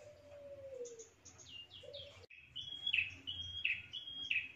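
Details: Prinia lure recording: a soft low drawn tone and high descending chirps, then after a brief break a steady run of high whistles, each ending in a buzzy downslur, about three in two seconds.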